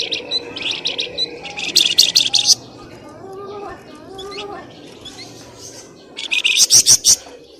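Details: Noisy bird lure calls for coaxing birds out of bushes: rapid bursts of shrill chirps at the start and end, with softer, lower notes in between.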